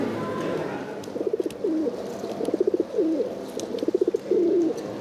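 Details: Silver barred Indian Fantail pigeon, a male that won the French Cup at the 2022 national show in Woincourt, Hauts-de-France: low, pulsed cooing phrases, each a rapid burst of throbbing notes followed by a drawn-out rolling coo, repeated about three times over a steady hum of crowd chatter.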